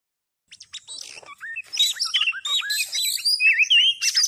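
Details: Oriental magpie-robin sound used as a lure for trapping birds: after a half-second pause, a rapid jumble of high whistled notes, slurred rising and falling phrases and scratchy chips that grows steadily louder and denser.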